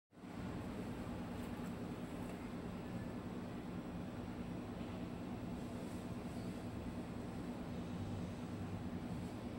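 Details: Steady broadband hiss and low hum continue without change, with no calls or other distinct sounds.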